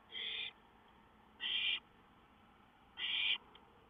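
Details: Wild songbird recorded on 5-9-2013, giving three bright, harsh bursts of about half a second each, spaced roughly a second and a half apart, over a quiet background.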